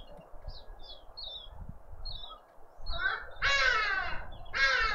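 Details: Garden birds at a feeder in a suburban garden in Pretoria, South Africa: thin, high chirps in scattered bursts, then two loud, harsh, cawing calls near the end over a low background rumble.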